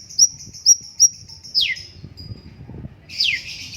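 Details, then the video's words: Cucak cungkok song: three short, very high whistled notes in quick succession, then two steep downward-sweeping squeals, with a faint low background rumble. "BURUNG CUNGKOK MASTER SUARA BAGUS JEDA TERAPI ALAMI"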